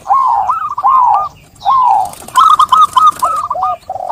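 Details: Zebra dove singing: slurred, falling coo phrases followed by a fast series of clipped, trilling coo notes, with a lower dove answering underneath.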